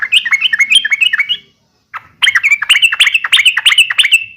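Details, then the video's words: Uplik tarung fighting call of a yellow-vented bulbul to stir rival bulbuls. Two fast phrases of bubbly, slurred chirps, the second longer and louder, separated by a short pause. "trucukan gacor SUARA UPLIK TARUNG ini AMPUH bikin burung trucuk gacor NYAUT EMOSI SEKETIKA"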